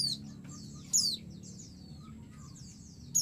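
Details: Female white-eye summoning a male, which answers agitatedly: high, thin falling chirps at the start, near one second and at the end, with a few faint whistled notes between over a steady low hum.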